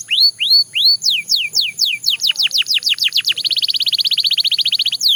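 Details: Belgian canary: three upward-curving whistles, then a series of downward slurs speeding into a fast, even, rattling roll, ending with one more high note.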